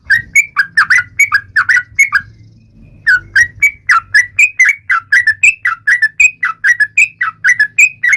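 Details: Yellow-vented bulbul singing in a taunting-rivals style: a rapid string of bright, bubbly whistled notes, repeated more than once a second with a short pause midway, over a faint low hum.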